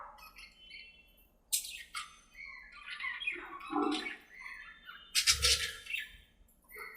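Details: Pet budgerigars playing and talking to each other in their aviary: scratchy chirps and squawks in short bursts, with a couple of loud broadband squawks and low thumps.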